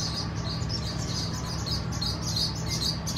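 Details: Swallows at a crowded nesting colony, a packed 'swallow mansion': busy, high-pitched chirps and twitters overlapping almost continuously, with a steady low hum and rumble underneath.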